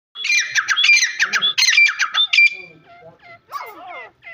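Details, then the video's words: A black francolin calls with a loud, harsh, grating phrase of rapid rasping notes lasting about two seconds, followed by softer chattering sounds. "Irani Francolin Calling"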